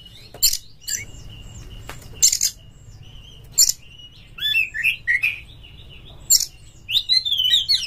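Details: Oriental magpie-robin, called kacer in Indonesia, giving a fighting-style lure song: widely spaced sharp chips and clicks, then loud looping whistled phrases and twittering toward the end, over low background hum.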